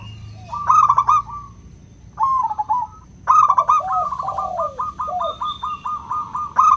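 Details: Local zebra dove with a 'kristal' voice, a lure for doves that seldom sing: loud trilled coo bursts followed by long runs of quick, evenly repeated rolling coos, with softer gliding notes beneath.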